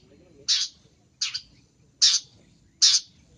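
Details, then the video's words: Long-tailed shrike, recorded for luring: four loud grating calls at roughly 0.8-second intervals, the second one split into two quick parts, with quiet low rumble beneath. "Suara untuk pikat Pentet"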